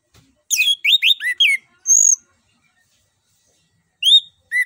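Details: Orange-headed thrush singing a fluent, rolling lure song meant to spark a silent bird. A quick run of slurred whistles descending in steps, one thin high whistle, then two isolated rising notes after a pause.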